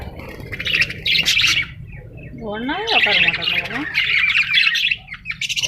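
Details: Parrot gives harsh squawks and twittering, broken by a wavering, voice-like warble in the middle, then more scratchy chatter and a quick pulsed burst at the end.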